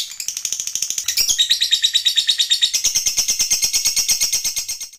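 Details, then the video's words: Lovebird master song in the long ngekek style: rapid high chattering trill with a short rising flourish early on, continuing as a steady stream of sharp repeated notes for five seconds. "MASTERAN Love Bird MAHADEWI Ngekek Panjang"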